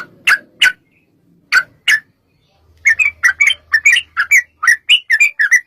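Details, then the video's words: Yellow-vented bulbul singing as a lure to make other bulbuls reply. Four loud, separated sharp notes open, then after a pause a fast run of liquid, up-and-down warbled notes, with a faint low hum beneath. "trucukan gacor TARUNG ROPEL PANJANG pancingan trucukan agar bunyi jadikan burung trucuk gacor NYAUT"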